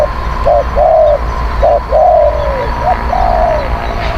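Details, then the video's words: Spotted dove calling, used as a lure for wild birds: repeated soft, hollow cooing phrases, each a short clipped note and then a long, gently descending coo, about three phrases in quick succession above a constant low rumble. "ต่อนกเขาใหญ่ เสียงนกเขาใหญ่"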